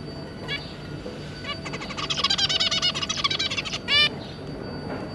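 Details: Zebra finch family with three juvenile young: soft scattered notes, then a fast buzzy chattering song for about two seconds, closing with one loud nasal call.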